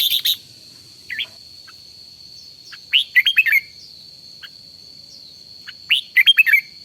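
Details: A red-whiskered bulbul decoy sings in morning training, giving short sweet phrases of five quick, rising-and-falling whistles roughly every three seconds, with an odd single chirp between them and a constant high hum behind.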